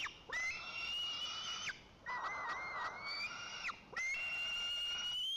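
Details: White-tailed eagle young at a nest in Lower Kama National Park, Tatarstan, giving three long, high, thin whistled wails, each over a second and slightly rising, with brief pauses between; nothing else stands out.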